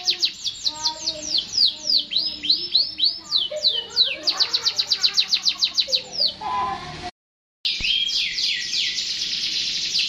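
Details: Canary pouring out quick high trills and swooping notes, with faint lower sounds beneath. A brief silent break follows, then dense buzzy trilling resumes.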